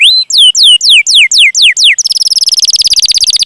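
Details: Canary long chirping to prompt other canaries to sing: seven loud, slow downslurred whistles about a quarter second apart, followed by a rapid buzzy trill of short notes.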